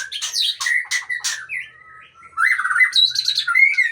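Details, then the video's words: White-rumped shama, long-tailed Aceh type, delivering harsh rasping bursts followed by clear whistled slurs and a rich warbled phrase ending in high thin notes. "Murai Aceh # Ekor Panjang"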